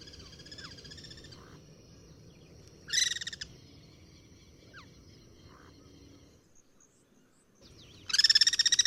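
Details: Guira cuckoo cross-singing in its natural habitat: short separate bursts of fast harsh pulsed notes with quiet gaps between, a faint thin slurred note in the middle and a loud burst at the end.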